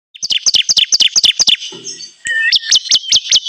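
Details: Bar-winged prinia lure sound for trapping birds: fast series of sharp, high chirps, each sweeping down, about four per second, then a short pause and a second run of similar strong chirps.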